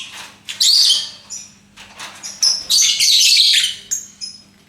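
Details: Lovebird calling in loud, piercing, buzzy bursts separated by short gaps. The longest outburst is a sustained harsh chatter lasting about a second, over a low electrical hum.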